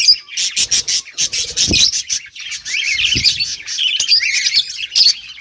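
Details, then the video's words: Australian budgies breeding in a colony cage: rapid high chirping bursts, then a run of warbled chatter, with two dull knocks in the background. "Budgies breeding progress and chirping sounds"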